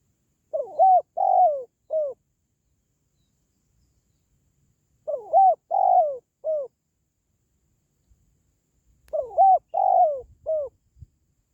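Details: Spotted dove calling for pet doves' morale or for luring wild birds when trapping; three evenly spaced phrases about four seconds apart, each of four cooing notes with a long descending third note, little background noise.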